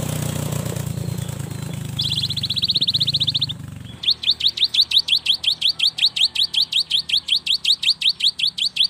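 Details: Singing young cinereous tit meant to coax silent birds into song: a short buzzy rattle, then a long run of sharp, high repeated notes at about three per second, with low rumbling noise early on.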